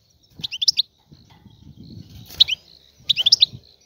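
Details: Wild European goldfinch, referred to as an Algerian goldfinch, giving three short bursts of bright twittering notes high in pitch, separated by pauses, over a soft low rumbling background.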